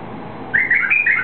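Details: White-eared bulbul, a bird native to eastern Saudi Arabia, singing after being released: a brief run of clear whistled notes that waver up and down, starting halfway through after a quiet background.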